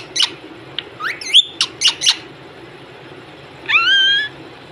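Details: Parrot in a small room making a few sharp squawks and quick rising whistles, then a pause and one long, even, rising whistled note.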